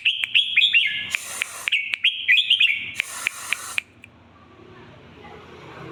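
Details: Red-whiskered bulbul singing a rich, lively run of warbled whistles with rising and falling turns, repeated in two phrases. Loud rustling or rattling bursts overlap, then the song stops, leaving quiet background noise.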